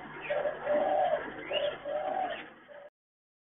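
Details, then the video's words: Chinese hwamei housed in a hanging breeding cage, delivering rapid mellow warbled phrases with a brief rising whistle, over a noisy background. "Burung Wambe"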